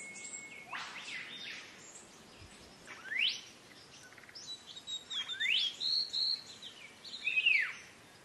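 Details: Green leafbird singing for cage-bird training: a thin steady tone opens, followed by varied rising and arching whistles and a run of short chattering notes, growing busier toward the end.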